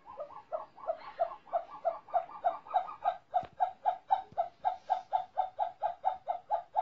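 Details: Captive snowcocks, caught a month and a half before and now singing, produce a fast, regular train of paired clucks, about four per second, growing louder and evenly rhythmic through the passage.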